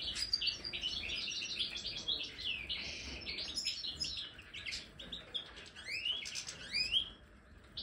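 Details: Twittering, buzzy-edged song from a Major European goldfinch in an aviary with marigold as a snack. Quick strings of high chirps and slurred notes tumble on, quieter toward the end.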